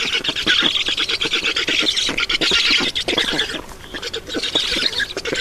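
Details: Black stork nest in Estonia at feeding time, 7 June 2019, 16:18. Harsh, rapid squeals and chatter run through the clip, softening briefly around the fourth second before resuming.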